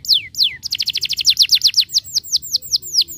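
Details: Canary song aimed at getting canaries to sing and roll: two long falling whistles, then a fast series of repeated chirps about four per second, slowing into drawn-out downward-sweeping notes.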